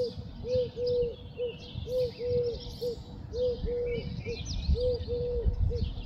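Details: Eurasian collared dove song recorded from an attic at home in Ljubljana, 19 May 2024: low, hollow three-part coos, short-long-short, about every second and a half, over a steady low rumble with faint chirps of other birds.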